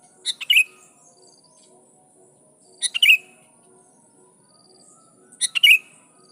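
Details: Sooty-headed bulbul, singing loud to call rivals and provoke wild birds into answering; three sharp phrases about two and a half seconds apart, a couple of quick clicks then a bright slurred whistle falling in pitch.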